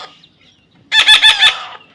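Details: After a moment of quiet, a baby parrot in taming sessions gives a single harsh burst of four quick, raspy notes.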